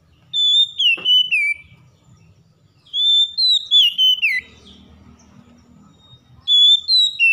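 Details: Oriental magpie-robin, stressed and slow to sing, provoked into song: three repeated phrases of loud, clear whistled notes stepping downward, each ending in a slurred drop, with a soft low rumble between them.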